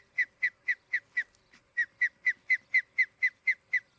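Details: Late morning on 23 July 2018 at an osprey nest in Charlo, Montana, filmed by a nest camera: a steady string of fifteen clear, slightly falling whistled chirps, with a short pause after the fifth.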